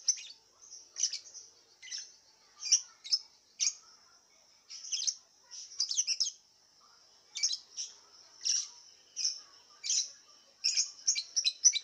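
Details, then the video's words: Lovebird performing in an online singing contest, from Singkawang, West Kalimantan, kept in a round cage and fed white millet, delivers thin high chirps and twittering bursts in irregular clusters, with quiet gaps between, over silence. "LOMBA LOVEBIRD ONLINE 20 - Aksi LoveBird"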